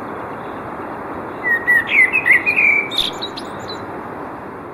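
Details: Common blackbird song: a mellow, fluted warbling phrase of several rising and falling notes lasting about a second and a half, closing with a few thin, high squeaky twitters, set against a steady loud background rush of noise.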